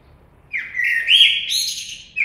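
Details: A common blackbird gives one long fluting whistled phrase that rises and wavers before ending in a thin high twitter, with quiet background.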